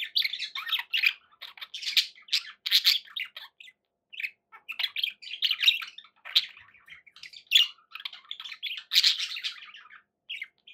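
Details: Pet budgerigars keep up lively warbling and chirping, with harsh squawk bursts and brief pauses throughout.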